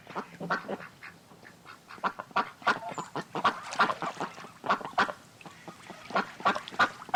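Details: Group of ducks at the side of a pond, quacking busily: harsh, nasal quacks overlapping in quick irregular bursts, roughly three per second, several birds calling at once throughout.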